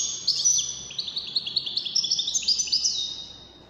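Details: Wdaniya-style song from one of five competing European goldfinches: a dense, bubbling string of high chirps and tinkling slurs, pulsing quickly and fading away after about three seconds.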